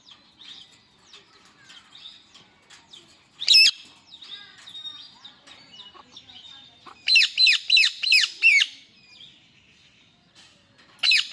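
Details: An angry male Indian ringneck parrot gives loud, harsh shrieks: one at about three seconds, a rapid burst of five around seven to eight seconds, then another, over faint chirping.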